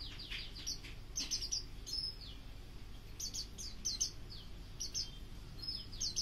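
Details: White-eye of the pleci auri type, its song meant for tutoring other birds: clusters of sharp high chirps and quick downslurred notes in bursts, with brief pauses between groups, over low background rumble.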